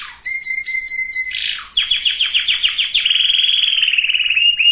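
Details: Canary singing to ready both sexes for breeding. Clipped high chips over a low held whistle, then a rolling series of descending sweeps that merges into a fast, even trill.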